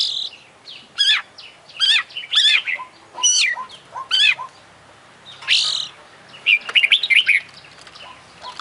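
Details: Oriental magpie-robin, an international champion, in full 'isian' singing: a series of sharp, high, down-slurred notes roughly every half second, then a noisy burst and a quick twittering run.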